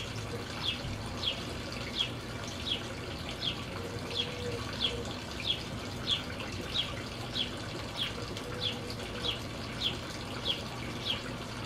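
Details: Wild Western tanager at a feeder of oranges, jelly and suet in Colorado Springs, giving short, sharp, high call notes about every half-second, over steady rushing water.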